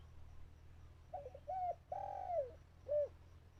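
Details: Decoy dove in a Thai bird-trapping setup, calling while wild birds stayed away: a faint stutter, a short coo, a long drawn coo falling at the end, and one brief rounded closing note.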